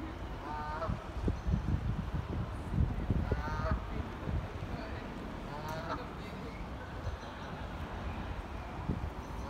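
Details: Canada geese at Tib Lock, Manchester, in September 2018, giving a few separate nasal honks a couple of seconds apart over heavy low rumbling background noise.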